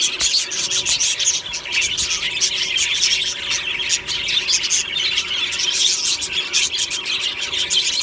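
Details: Morning singing of many budgerigars in a colony aviary: continuous high twittering and squeaky chirps layered together, with occasional sharper squeals standing out.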